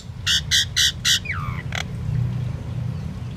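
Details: Common myna: four loud harsh rasping squawks in quick succession, a drawn-out descending whistle, then one more rasp followed by quiet background hum.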